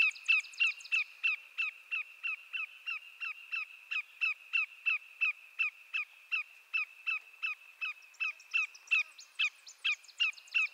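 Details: A greater yellowlegs shorebird calls without pause. Piercing whistled notes that drop in pitch come about three each second, and the series grows slightly more ragged near the end.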